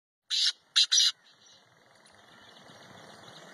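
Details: A Black francolin in its natural habitat in Pakistan gives three harsh, grating notes: a longer first note, then two quick clipped ones. Quiet background hiss follows.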